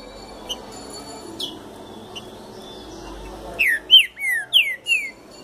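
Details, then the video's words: Green-winged saltator coming out of moult gives a rapid run of about five loud whistled notes, each sliding downward, near the end after faint scattered chirps over a low hum. "Trinca Ferro Saindo de Muda"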